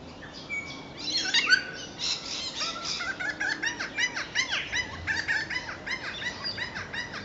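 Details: Noisy Friarbirds, recorded 13 September 2011, give loud, harsh, looping notes in quick bursts, several birds overlapping, with higher whistles and chirps from other birds behind.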